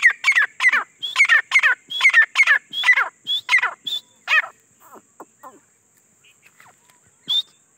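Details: Grey francolin (teetar), wild or desi bird: a rapid series of loud, harsh, ringing notes with a whistled edge, roughly three per second, fading into softer clicks before one last sharp note.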